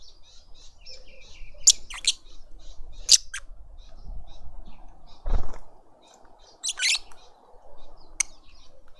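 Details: Lovebirds in a suburban garden in Pretoria, South Africa, a family feeding a juvenile at a feeder; a few sharp, harsh shrieks spaced a second or more apart, with a dull thump partway through and quiet background.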